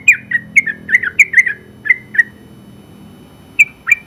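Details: Sooty-headed bulbul, a general-class winner, with a short run of about ten quick bubbly chirps that trails off, followed by a second-long silence and two final notes; low background murmur throughout.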